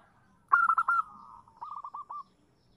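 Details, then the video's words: Female zebra dove calling to a male as a lure: a loud burst of rapid clipped notes, then a quieter, slower run of descending cooing notes. "suara perkutut betina memanggil jantan"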